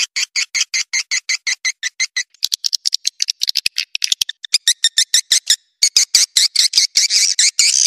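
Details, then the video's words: Edible-nest swiftlet lure call used to draw birds in to roost: rapid series of short, high buzzy chirps, about one and a half per second, then a scatter of sharp dry clicks before denser, overlapping twittering returns. "SUARA BURUNG WALET PANGGIL INAP"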